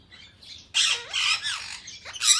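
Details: Indian ringneck parakeets of yellow, blue, white and grey colours at feeding time give harsh, screechy squawks: a rapid cluster of loud rasping calls with bending, slurred notes, then a final burst.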